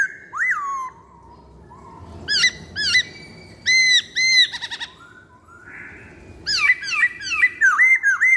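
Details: Black-throated laughingthrush song as a lure: a sharp rising whistle, then quick ringing arched notes and rapid chattering phrases over a soft background hiss.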